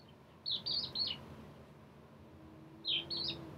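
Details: Crested lark giving two short bursts of high, slurred twittering notes separated by a pause, with a faint low hum in the background.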